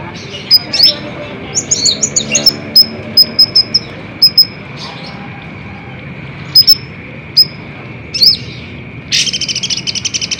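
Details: Olive-backed sunbird song used to provoke caged birds into responding: sharp high chips in quick pairs and clusters, then a fast buzzy rattling trill at the end, over a steady faint high hum.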